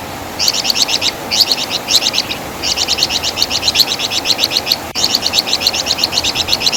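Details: Flamboyan bird, called Wergan Jawa in West Java, delivering its distinctive crisp chatter for songbird training: short bursts of high, twisting notes, then a longer unbroken rapid series, with faint background hiss.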